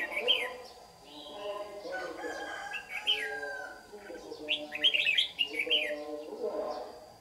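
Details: Competitive dawn song from a white-cheeked red-whiskered bulbul lure bird while trapping wild birds in Đồng Nai, Vietnam, 26 June 2019; several lively warbled phrases, the densest cluster around five seconds, above a persistent low hum.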